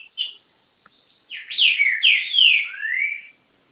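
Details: Green-winged saltator kept in Garça, São Paulo, Brazil, gives a short note then a full, loud phrase of clear, sweeping whistles falling and rising in pitch.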